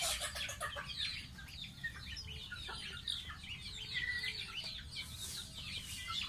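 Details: Baby pet domestic goose taking a bath; dense, high, thin peeps and short whistled chirps tumble over one another almost continuously, some sliding downward, over a low rumbling background.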